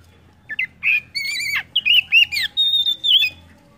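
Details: Oriental magpie-robin song, played as a lure to prompt other birds to sing: a quick run of loud, varied whistled and slurred phrases in short bursts, ending on a sustained high clear whistle over a quiet background.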